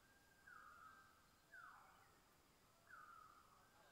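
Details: Male Greater Birds-of-Paradise at a lek in Badi Gaki Conservation Area, calling before displaying to attract females: three loud, harsh, downslurred caws about a second or more apart, over a steady forest hiss.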